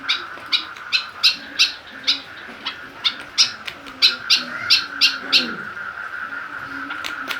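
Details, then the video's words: Captive white-breasted woodswallow (kekep babi) goaded with a plastic bottle to become fiercer and call more; a fast run of harsh chip notes, then softer, sparser ones, a continuous high hum throughout. "Cara buat burung kekep babi semakin ganas dan gacor"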